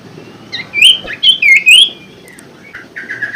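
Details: Common Iora song intended to stimulate a caged bird that is slow to sing: a bright phrase of clear sliding whistles, followed by quieter flat whistled notes.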